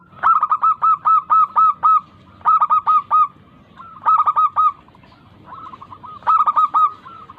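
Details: Local zebra dove song, used as a lure to make lazy doves sing: clear bursts of four to six rapid, even cooing notes, each burst separated by short pauses, over a faint low background hum.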